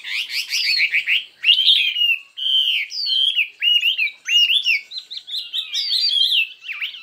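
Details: A Chinese hwamei in a fiery singing contest: it opens with fast trilled notes, then gives a string of varied, looping whistles, rising and falling phrases in short bursts separated by brief gaps.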